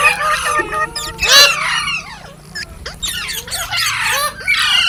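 Green parrots chatter in a dense stream of harsh, high chirps and screechy squawks, several overlapping at once, with a faint low hum underneath.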